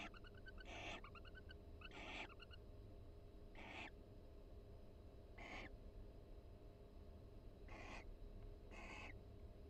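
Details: Relaxed barn owl mates in a University of Florida nest box during the breeding season, keeping a pair bond with soft chatter: six brief breathy rasps spaced one to two seconds apart, the first two with faint ticking notes.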